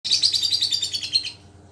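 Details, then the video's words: Pet lovebird, recently recovered from a cold and tested to see if it still calls readily, giving a fast run of shrill, high chirps lasting over a second, rapidly repeated notes blending into a harsh twittering chatter. "#Suara burung #Lovebird"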